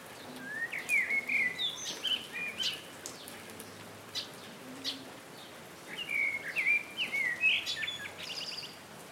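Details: Common babbler giving two bursts of short, high whistled notes that rise and fall, set against constant hissing outdoor noise with faint distant chirps.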